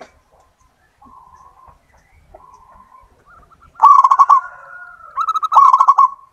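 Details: Singing local wild-type zebra dove used as a lure: quiet, drawn-out cooing notes for several seconds, followed by two loud, rolling, staccato coo bursts with a sustained tone between them.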